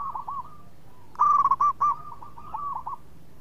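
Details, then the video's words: Melodious local zebra dove singing actively as a song-prompting bird: one loud run of quick, clipped coos mid-clip, framed by fainter rolling coo phrases from a second dove before and after. "PERKUTUT LOKAL GACOR SUARA MERDU TUKANG PENGUNDANG BUNYI"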